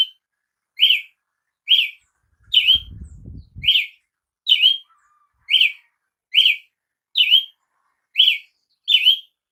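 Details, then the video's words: Brazilian tanager singing a sharp, bright note with an upward-then-downward slur, repeated about once a second in a steady series. A brief low rumble sounds near the start. "canto de Tiê sangue"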